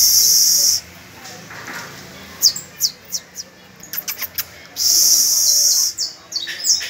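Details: Canary song on the first of May, with pupil birds practising; an opening sustained high trill, scattered sharp chips and clicks, then another long even trill and closing notes.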